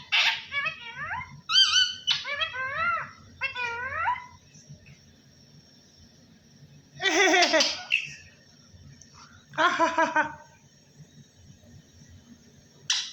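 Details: Parrot speaking words given as "Allah Hoo". Three harmonic, voice-like phrases with wavering pitch come first. After a long quiet gap there are two loud, harsh, broadband bursts, then a final short squawk.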